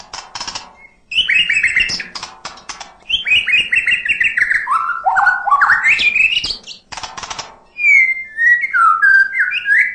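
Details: Murai batu, the white-rumped shama, in steady full song with varied fills: dry clicking bursts, then stepped descending whistled notes, a rising sweep, and clear whistled phrases at the end.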